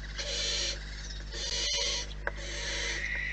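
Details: Wild barn owls in their nest give raspy hissing bursts roughly every second, with a couple of sharp clicks between them and a persistent low hum.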